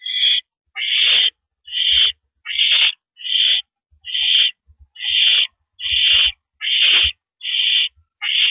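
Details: Porch-perched owl in the evening of April 9, 2012, 8:17 PM, uttering about twelve evenly spaced, raspy hissing screeches, one roughly every two-thirds of a second.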